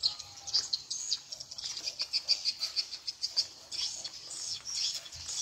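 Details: Swiftlet lure playback called 'SP Tripel Queen', used to attract edible-nest swiftlets; quick, sharp high twittering notes in a loose rapid series, fairly quiet, with faint low rumble.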